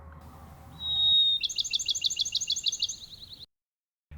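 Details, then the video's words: Bachman's Sparrow sings in spring in open central Florida pinewoods with widely spaced trees, grasses and palmetto: a pure, steady high whistle, then a fast ringing trill of bright repeated notes, the loudest sound in quiet woodland. "Superb Sparrow Songs"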